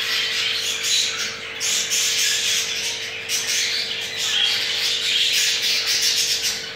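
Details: Crested jumbo male budgerigar mating with his partner, a pair with two eggs; busy rasping chatter and quick chirps, several notes per second, with a steady mains hum in the background.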